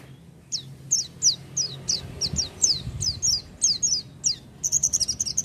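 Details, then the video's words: Oriental white-eye singing in a lively "gacor" style: a steady run of very high, thin notes, each sliding sharply downward, roughly two or three a second, ending in a rapid buzzy trill of quick repeated notes. "pleci buka paruh tanpa doping gacor dor"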